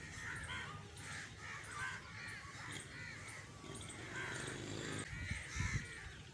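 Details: Repeated rasping crow caws in an irregular chorus, suggesting more than one bird, ending with a few low thuds or knocks under the calls and a steady background hum.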